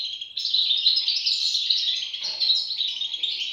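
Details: A short burst of European goldfinch chick begging: shrill, rapid, overlapping cheeps that start suddenly after a quieter opening and keep going at a high, even pitch.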